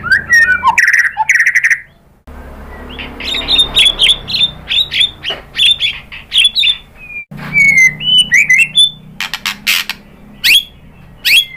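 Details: White-rumped shama song used as a lure to provoke other birds into singing: varied loud whistles and harsh chattering notes, rapid trills, sweeping upslurs and clipped phrases separated by brief pauses, bright and high-pitched throughout.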